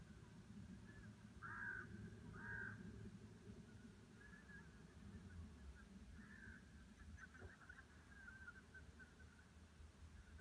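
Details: Greater white-fronted geese at Gåseengen near Søholt: a few high, yelping calls in quick pairs, then fainter ones further off, over a steady low rumble of wind.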